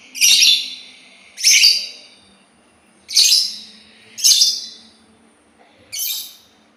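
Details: Sultan tit repeating loud, harsh, raspy chirps, five in all, spaced about every second and a half, each note dry and broadband with a quick fading tail.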